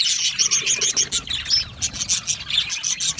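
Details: Aviary budgerigars chirping, a fast run of bright high tweets, about three or four a second, with soft flock chatter underneath.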